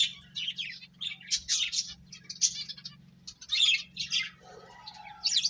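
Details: Finches eating and playing, calling in a quick series of high, buzzy chirps and short trills, with a brief lower rasping note near the end and a steady low hum.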